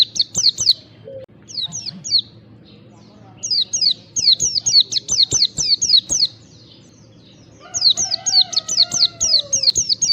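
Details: White-eye lure call used to prompt caged white-eyes to sing: bursts of rapid, thin, high chirps, several per second, separated by short pauses, with a lower whistled note beneath near the end.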